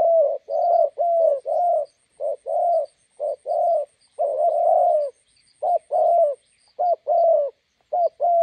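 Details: Spotted dove decoy bird meeting a wild bird beside a roadside in Gia Lai, Vietnam: low, husky cooing phrases of two to four notes, repeated steadily with short pauses, with faint high chirps behind.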